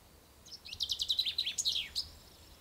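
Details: Single loud strophe of a common chaffinch at dawn, first day of spring, in poplars by the Ucero river: a fast run of repeated sharp notes descending into an emphatic end flourish.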